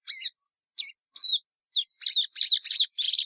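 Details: Song of a Plumbeous seedeater, Sporophila plumbea: a few separated high whistled notes give way to a quick run of buzzy, rolling phrases.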